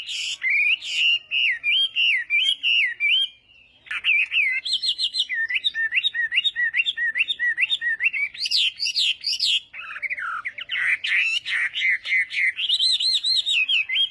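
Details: Chinese hwamei singing in the morning for voice training: long, loud, varied whistled song with wavering and looping phrases, rapid repeated notes and short pauses, rich and continuous.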